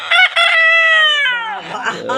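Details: A large native rooster, the best of the flock, crows: two short clipped notes, then a long, loud, rasping held note that drops at the end.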